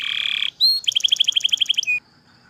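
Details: Canary song, a long phrase: a steady buzzy tone, then a rising whistle, then a rapid series of about a dozen bright repeated notes ending on a falling note, followed by silence.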